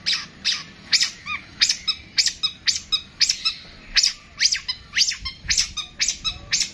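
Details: Long-tailed shrike giving a long 'tembakan' burst of song: harsh, high chirps repeated about twice a second in a steady, insistent rhythm, each note dropping slightly in pitch.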